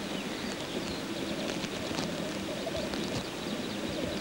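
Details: Black grouse cocks at a courtship lek. A faint, continuous low bubbling chorus runs under a fairly noisy background.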